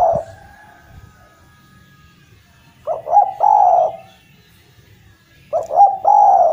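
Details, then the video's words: Lively 'gacor' Javanese collared dove: the tail of one coo, then two full phrases about 2.5 seconds apart, each a quick stuttered intro and a prolonged soft hoot, background quiet. "Derkuku jawa gacor mampu mengatasi derkuku macet bunyi menjadi gacor kembali dan rajin bunyi"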